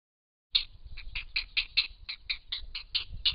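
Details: Grey herons at the nest at Hen Reedbeds, a pair of parents raising young; a series of short, sharp ticking notes repeated about three times a second, with low rumbling background noise.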